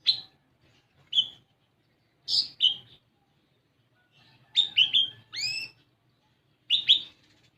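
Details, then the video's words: Olive-backed sunbird singing as a lure to make raw sunbirds sing: spaced high chips in pairs, then a lively cluster of twittering notes and rising whistled sweeps, ending with another doubled chirp. "Pancingan Kolibri Ninja Bahan Agar Bunyi"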